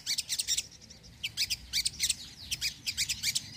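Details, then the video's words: Sogon calling, a recording to lure birds and get lazy birds singing: harsh, scratchy high chirps in quick pairs and triplets, repeated steadily across the clip. "sogon gacor penarik burung bahan & malas bunyi"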